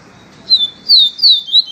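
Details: Pure "viviti" song of a yellow-bellied seedeater: after a short pause, four bright, high whistles, each slurring downward, delivered in a brisk, slightly uneven rhythm in a quiet setting.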